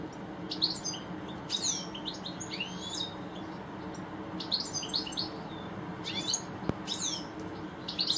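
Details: European goldfinches, two birds in a garden, give short bursts of bright liquid twittering. The bursts mix rapid chirps with rising and falling slurred notes and come roughly every second or two, with brief quiet gaps and a soft background hum.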